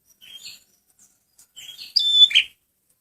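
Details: Male red prinia (prenjak merah) song used as a lure: soft high chirps, then a loud burst of bright whistled notes sliding into a buzzy rasping tail near the end.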